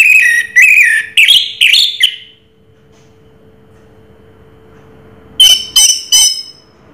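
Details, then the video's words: Raja Teler singing by an orange-headed thrush, known as Anis Merah: four or five loud, rich warbled phrases, a quiet gap, then three ringing high chips, with faint background hum. "Suara Burung Raja Teler Anis Merah"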